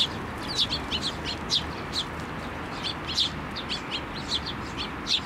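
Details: Eurasian tree sparrows and a young chick flying onto a hand for food at a Tenmangu shrine on 17 May 2024; busy overlapping chirps, several birds calling in quick succession throughout.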